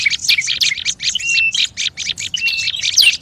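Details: Noisy olive-backed tailorbird calling meant as a lure. Loud, crowded chips with flat whistles, ending in a shrill downward sweep.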